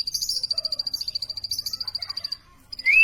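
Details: Plain prinia chirping in a quick, metronomic run of high, dry notes, around eight per second, for over two seconds; after a pause it resumes and a loud upward whistle follows.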